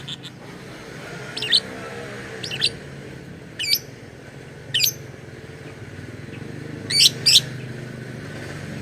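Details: Lovebird making an unusual sound said to imitate human speech: five sharp, shrill chirp bursts spaced about one to two seconds apart, a double burst near the end, over a steady low hum.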